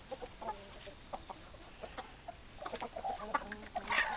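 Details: Chickens clucking: sparse short clucks early, then a busier burst of overlapping clucks and a louder, higher squawk toward the end.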